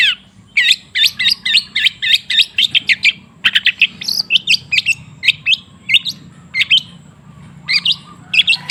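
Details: Lure song of a long-tailed shrike to prompt a silent bird to sing: steady runs of quick, high, chipping notes, several per second, with brief gaps, over a faint low background hum.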